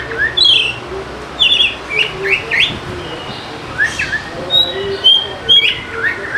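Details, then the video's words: Oriental magpie-robin lure song aimed at sluggish birds, rather soft and scattered: brief upslurred whistles, scratchy notes and a few high clear tones spaced by short pauses. "PANCINGAN KACER AMPUH UNTUK PIKAT KACEER MALAS BUNYI"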